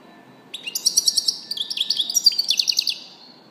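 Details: European goldfinch in a lively three-second twitter: fast, bright, high-pitched chirps and buzzy trills running almost continuously, with a faint hum behind.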